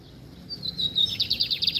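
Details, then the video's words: Lined seedeater, brown plumage, giving a short burst of song: a high thin whistle that drops into a quick pulsing trill of clipped notes; low background hum. "Bigodeiro PARDO cantando"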